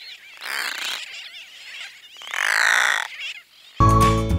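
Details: Brown noddy (Anous stolidus), call.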